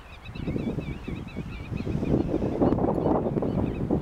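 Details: Many geese gathered in a meadow on the island of Ameland, giving a dense, continuous chorus of overlapping low honks with no gaps, plus faint higher wavering calls drifting above the flock throughout.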